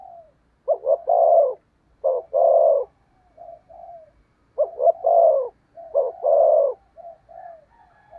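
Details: Spotted dove serving as a lure for wild doves, cooing 'thúc gù' style: quick stuttered starts into a full throaty coo, three phrase groups, soft trailing purrs between them.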